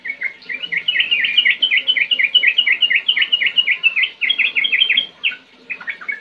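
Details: Sooty-headed bulbul (trucukan) singing a fast, clear chattering run of short, bright notes that rise and fall in quick succession, about two per second, with a brief pause near the end, over a faint low rustle.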